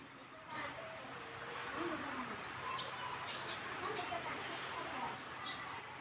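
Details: Mother hen leading her chicks back to the nest to roost: soft low clucks with a scatter of thin, high chick peeps repeated over a steady background hum.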